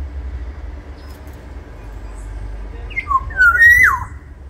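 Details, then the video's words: After a quiet stretch, a big Black-naped oriole of the Sumbawa type sings a single mellow phrase: short down-slurred notes, a long even whistle, then an abrupt drop in pitch. "Siulan kepodang sumbawa body besar"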